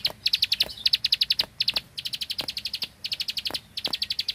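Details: Rice-field bar-winged prinia in full 'klik klik' burst song: sharp high clicks delivered in rapid machine-gun volleys of about six notes, each volley broken by brief gaps, over a quiet background.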